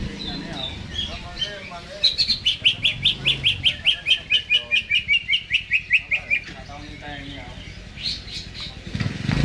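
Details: Caged greater green leafbird in full song, jamtrok style, before hanging: a rapid run of some twenty clipped notes starting high and stepping steadily lower over four seconds, softer twitters around it.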